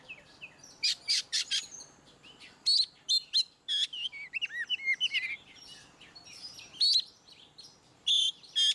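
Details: Oriental magpie-robin performing ngeplong song to prompt silent birds: several loud harsh bursts in a row, then a varied stretch of looping whistled notes and chatter, ending with more bursts.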